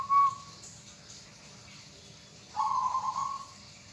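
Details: Local hobby zebra dove giving a short bright note, then after a pause a long rolling, trilled coo about a second long; quiet hiss fills the gaps.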